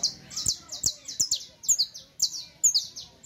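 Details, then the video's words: Saffron finch, locally called canario criollo, singing a song meant for teaching young birds: quick bursts of high, bright chirped notes, some slurring downward, separated by brief gaps and a few sharp clicks. "El Mejor CANTO De CANARIO CRIOLLO Para Enseñar"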